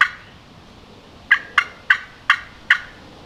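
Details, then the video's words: A Wild Turkey gobbles near a cornfield in Minnesota in late spring: a single rattling burst, then five quick, throaty, mid-pitched bursts about every third of a second over a faint background hiss. "Turkey just gobbled. Did you hear it? Did you hear that turkey gobble?"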